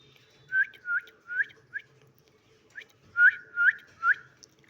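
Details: Pet parakeet indoors producing a series of short rising whistled notes, about seven in under five seconds with a pause midway, faint room hum underneath.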